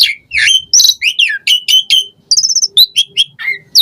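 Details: Asian pied starling song used to prompt caged birds to sing: chattering downslurred notes in quick series, a short buzzy trill, then spaced slurred whistles.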